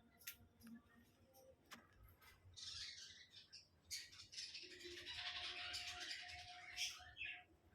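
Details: A tame budgerigar chatters in a fast, scratchy warble of squeaks and clicks, with faint music behind.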